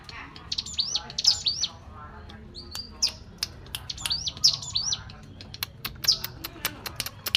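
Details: Hill prinia giving a natural-sounding cetrekan chatter meant as a lure to get other birds calling: bursts of high, rising chirps repeated in quick clusters, with sharp clicking ticks in between and quiet background hiss.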